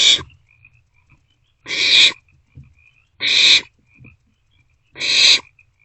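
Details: Barn owlets in a nest box at night, around 2 am in late March, sharing a vole meal; harsh hissing screeches lasting about half a second, repeated roughly every one and a half seconds, with faint soft chirps between.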